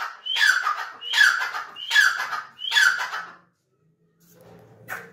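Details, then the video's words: Grey francolin (teetar) delivering four evenly spaced, harsh, grating notes with whistled rising starts, nearly one per second. A pause follows, then faint shuffling and a short squeak. "Teetar awaz||Voice francolin"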